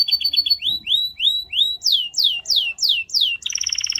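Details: Canary song built from repeated phrases: a short trill, then a series of rising slurred whistles, then loud downward-sweeping notes, ending in a buzzy rapid trill.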